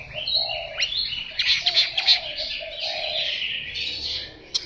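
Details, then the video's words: A young Chinese hwamei practising its song: a loose, rambling jumble of high squeaky chirps and a few lower warbled notes, without a settled repeated phrase. "Họa mi chiến tập làm ca sĩ"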